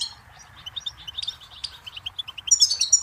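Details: Goldfinch song from a tape meant for teaching chicks and songbirds: quiet, fast twittering of short high notes, with a louder, denser burst of bright chirps near the end.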